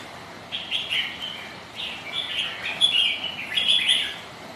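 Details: Sparring red-whiskered bulbul rivals on a rainy, windy day give lively chirping phrases in quick bursts, several notes rising and falling, with a faint hiss behind.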